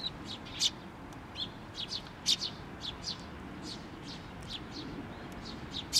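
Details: Nestling bird on a post at a Tenmangu shrine, 16 May 2023, calling as the parent bird returns; thin, high chirps scattered through six seconds, louder ones standing out between softer, fainter notes over a low background murmur.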